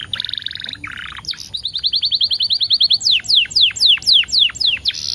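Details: Canary singing as a lure track for other canaries: short buzzy phrases, then a quick series of rising chips about five a second, followed by louder sweeping downslurred whistles repeated steadily.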